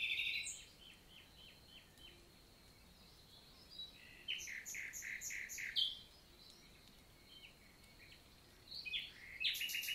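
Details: Common nightingale singing in daytime in a countryside forest, Célé valley, Lot, France, 11 June 2023: several separate phrases with pauses, including a row of repeated clipped notes, a rapid chattering series, and a final loud burst.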